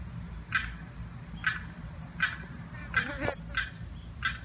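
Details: Young limpkin cut off from its mother and sibling behind a fence, giving a distress call on July 4th: sharp, high piercing cries repeated roughly once a second, six in a row, over steady low rumble.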